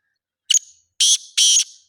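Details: Black francolin calling: one short harsh burst, then two longer grating, buzzy notes about half a second apart. Each note trails off into a faint thin tone, with silence around them and no other sounds.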